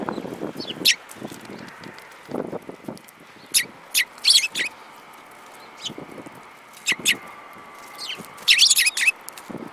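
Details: Several sparrows, one with a yellow beak among them, recorded 5 February 2018; loud short sharp chirps come singly and in quick bursts, including a dense cluster near the end, over soft low background rumble.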